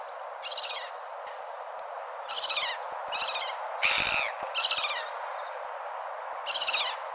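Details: Several seagull calls, each a brief ringing cry with stacked harmonics, spaced irregularly over steady ambient hiss, plus a long faint whistled tone near the end.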